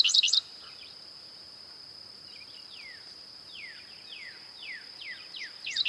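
A Dickcissel gives loud, sharp chipping bursts at the start and end, with faint downslurred notes repeated about every half second in between, over a steady high insect drone.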